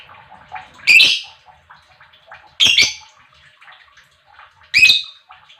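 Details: Lovebird chirps meant to stir other lovebirds into song: three sharp, rasping bursts spaced roughly two seconds apart, separated by quiet twittering murmurs.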